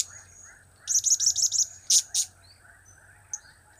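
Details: Blue-crowned hanging parrot calling in its cap-cap, kiak-kiak and crap-crap styles: a fast stuttering run of five sharp high notes, then two louder separate chips, then quiet with a faint whine and buzz behind.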